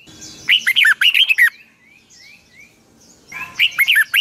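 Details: Red-whiskered bulbul morning song, used as training audio to coax young birds into singing, in a long twisted double-voice style: two bursts of rapid warbled notes with faint upslurred whistles between them.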